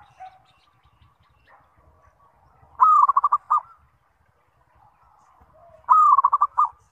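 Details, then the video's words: Zebra dove (perkutut) used as a lure so other zebra doves answer: two phrases about three seconds apart, each a long coo then a rattle of short staccato notes, over quiet low background noise. "SUARA PANGGILAN PERKUTUT - PANCINGAN SEMUA JENIS PERKUTUT"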